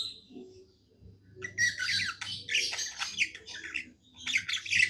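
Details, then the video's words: Pet budgie singing happily after a quiet start: a burst of loud scratchy chatter, buzzy squeaks and warbled notes in quick succession, low hum underneath. "Happy budgie singing"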